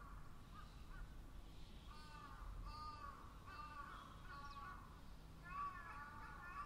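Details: Several crows cawing in loose succession, hoarse nasal caws spaced about a second apart, some rising in pitch, with a cluster near the end over a constant low hum.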